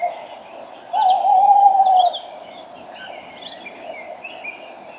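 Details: Tawny owl at dawn, 06:34 on 5 March 2013. The male is close to the microphone and a female calls farther off. One loud, steady, low hooting note lasts about a second, over busy twittering from the morning chorus.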